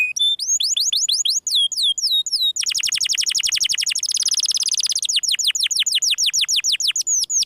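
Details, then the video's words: Canary performing the 'gesekan' song: spaced downward-sweeping whistles give way to a dense, buzzy rapid trill, followed by a steady rolling string of repeated falling notes. "gesekan kenari"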